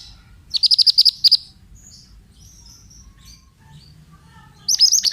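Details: Male Oriental magpie-robin used as a bait song for training other birds: a burst of about eight quick, high, down-hooked chirps, a quiet gap with faint distant notes, then another rapid chirping burst at the end.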